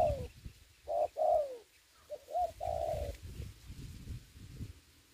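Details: Ground-trapping decoy spotted dove in Dong Nai, Vietnam, in the Covid-19 season gives a few hoarse coos, a longer falling note then a short note and a drawn-out coo, followed by quieter rustling.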